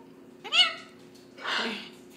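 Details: A female red-fronted macaw with a small voice, prompted by her owner to say "hi" and "step up", gives a brief nasal rising note, then a harsh breathy rasp like a half-formed word; talking.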